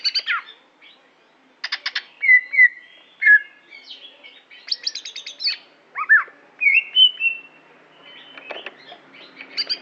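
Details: Performing greater green leafbird of Aceh stock singing a varied, fast medley: sharp clicking trills, clear downslurred whistles, buzzy rattles and abrupt chirps, changing pattern every second or so, with short pauses between phrases.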